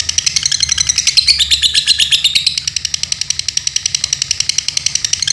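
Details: Captive Dunhil lovebird in Paduraksa, Pemalang, Indonesia, producing a sustained high-pitched rattling chatter, dense and rising in intensity around the middle, then steady rapid ticking to the end.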